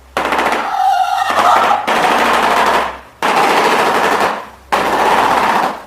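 A shoebill clatters its bill in fast, hollow, machine-gun-like rattles: four bursts of about one to one and a half seconds, split by brief pauses.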